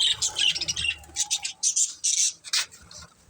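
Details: Pet budgerigars of a family group chirping rapidly, quick harsh squawky notes and warbles repeated about twice a second.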